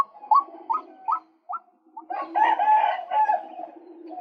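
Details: Male white-breasted waterhen, recorded to lure birds: a run of short rising notes spaced about every half second, leading into loud, harsh, drawn-out croaking.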